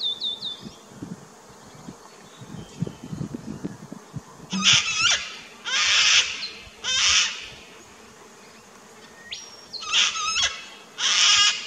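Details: Sulphur-crested Cockatoo in an Australian backyard garden, filmed 21 September 2019, gives five harsh, raucous screeches in short bursts, with thin high whistles from another bird and a faint low buzz behind.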